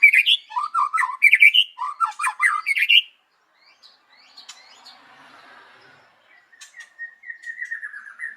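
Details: White-rumped shama singing in the morning, recorded as a lure to make other birds sing: three seconds of fast, varied chattering and whistled phrases, a short pause, then a soft run of descending whistled notes.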